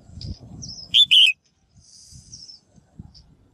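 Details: Female bird calling to get males singing: one loud two-part whistled call, a brief note then a longer buzzy lower one, amid faint high thin whistles and low rumbling noise.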